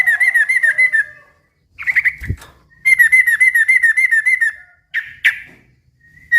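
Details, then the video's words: Lively yellow-vented bulbul song that makes other bulbuls join in: warbling runs of rapid liquid notes broken by short gaps, a soft thud and a couple of sharp chirps. "suara kicau trucukan gacor ribut yang satu ini suka bikin burung trucuk lain ikut NYAUT BUNYI RIBUT"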